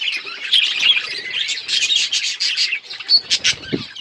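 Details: Budgies playing together, chirping in a busy overlapping chorus of bright high twitters and warbled notes, ending in a few sharper separate chirps and a short low thump.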